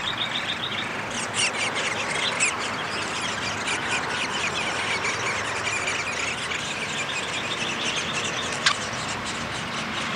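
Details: Downy woodpecker at its nest during feeding, 20 May 2021: bursts of rapid, harmonic, chattering notes repeated in short series, with a sharp click near the end over a steady, hissy outdoor background.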